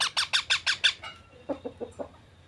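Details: Loud pet parrot call: six strong, evenly spaced harsh squawks in quick succession, followed by four softer, lower clipped notes trailing off.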